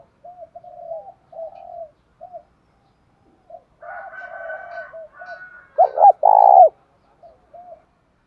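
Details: Spotted dove giving 'thúc đấu' provoking coos for rousing decoy birds: a long stretch of soft, low murmuring coos, then one loud, abrupt two-part hollow coo phrase near the end.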